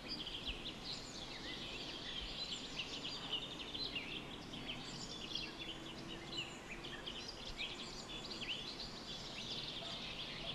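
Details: A garden with house sparrows, including a male, chattering continuously. Many quick overlapping chirps and cheeps run through the whole stretch above a constant background hiss.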